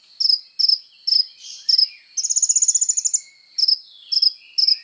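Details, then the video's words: Sunbird song for training songbirds: crisp high chirps in pairs, broken by a quick rattling trill in the middle, then more paired chirps. "SUARA BURUNG KOLIBRI NINJA GACOR FULL TONJOLAN"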